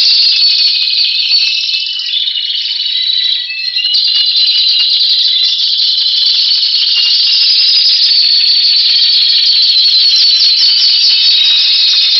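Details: Timbrado canary power song recorded in February 2012: a continuous, loud, high rolling trill and rattle without pause, shifting slightly in tone partway through.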